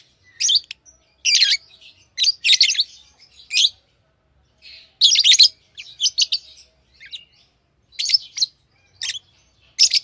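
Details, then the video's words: Tamed pet lovebirds giving shrill, sharp chirps in quick clustered bursts, roughly a dozen groups spread over ten seconds with short silent gaps between them, no other sounds. "Love birds Sounds | lovebirds chirping sounds"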